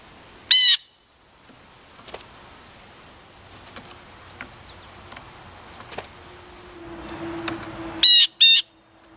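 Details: Nervous blue jays hopping about, wary of the camera: two loud, harsh, harmonic calls, one near the start and a double burst near the end, over a quiet background hum with faint ticks.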